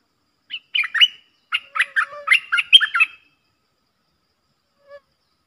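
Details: Streak-eared bulbuls singing against each other as a pair, 30 October 2021: a tumbling two-second run of bright chirps and slurred whistles, then quiet and one soft low note.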